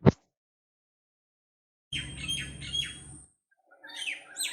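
A common myna gives a quick run of short, sliding whistled notes with harsh chatter, then a second burst of squeaky calls, over a low background rumble.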